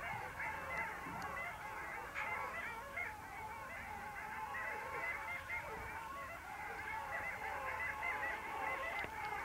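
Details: Long-tailed ducks calling at the Vistula mouth on 8 February 2013: a dense chorus of overlapping nasal, yodelling calls from many birds, constant and busy throughout, with a steady background hiss.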